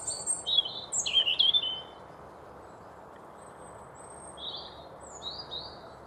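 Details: European robin singing to defend his territory along a trail in Chesterfield, Derbyshire, UK: a brief burst of high, thin warbled phrases with a wavering trill, then a pause and softer, higher fragments, over steady low background noise.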